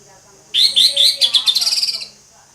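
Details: Orange-headed thrush singing ngeplong style: a few rich whistled notes run into a fast, even series of short chirping notes, roughly a dozen, over a low background hum.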